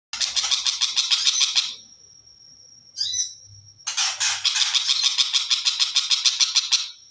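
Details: {'caption': 'Long-tailed shrike song: loud harsh buzzy notes repeated about three times a second in two long bursts. Between them a steady high thin whistle and a few short squeaky notes.'}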